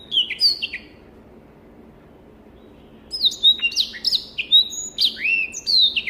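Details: A Black-throated canary (Crithagra atrogularis) sings a short burst of bright, high, sliding notes, pauses, then returns with a fast, varied run of sweet warbled phrases; clear song used as a tutor recording for training birds.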